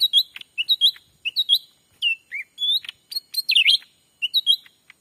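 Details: Black-capped bulbul lure call, used to attract wild birds while trapping by day in Sumatran forest: bright whistled chirps in quick two- to three-note phrases, some upslurred, repeated many times with short gaps, a lower slurred note midway.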